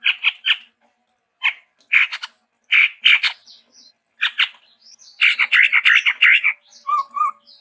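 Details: Chestnut-rumped babbler, endemic to Sumatra, singing in varied style: loud rasping, broadband chatter in groups of two or three, building to a dense chattering burst, then short paired whistled notes.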